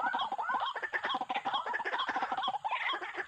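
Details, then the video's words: White-breasted waterhen used as a trapping lure: rapid, dense run of short clucking croaks with hooked shapes, overlapping and nearly continuous. "MIKAT BURUNG WAK WAK.TERBARU. SEKALI DATANG BANYAK"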